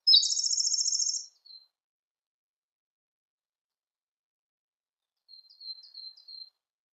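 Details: Siberian blue robin song: a loud, fast, rattling trill of evenly repeated high notes lasting about a second, a long pause, then softer chirping notes.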